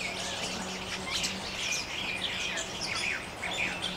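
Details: Jungle babblers chattering constantly in a small flock in open forest during mock fights with neighbours; rapid, uneven run of harsh downslurred notes, roughly two each second, over a low steady hum.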